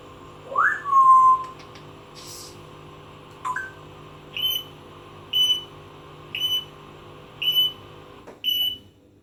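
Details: Pet parrot, a plucked adopted bird, running through her sound effects indoors: a rising whistle that settles into a steady tone, then a run of short, high beeps repeated about once a second over a low room hum.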